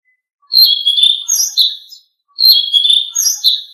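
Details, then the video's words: Blue-winged leafbird song meant to prompt kept birds to sing: two loud, near-identical warbled phrases, each about one and a half seconds long, made of slurred whistles and chatter with high sparkling notes. "Masteran Burung Selendang Biru super efektif bikin Burung Selendang Biru gacor"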